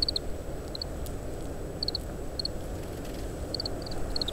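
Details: Oriental greenfinch giving ground calls while feeding on summer camellia seeds and shelling them, recorded in strong wind with a parabolic mic: short, high twittering notes in quick clusters of two or three, repeated every second or so, over a steady low rumble.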